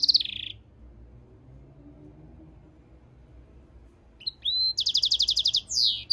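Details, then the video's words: European goldfinch × canary mule singing: a short high buzzy note at the start, a long quiet pause, then a rising whistle followed by rapid bright trilled pulses and a sweeping descending phrase. "European Goldfinch mule singing - Jilguero Mixto"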